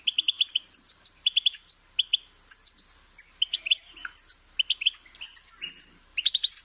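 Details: Goldfinch song made of rapid runs of bright, high twitters, each phrase a cluster of clipped chirps repeated several times before a short gap.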